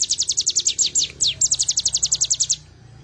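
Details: A bar-winged prinia delivers an unbroken string of high, clipped, down-slurred notes, roughly six per second, for two and a half seconds, with one longer sweeping note midway. Recorded as a master track for training songbirds.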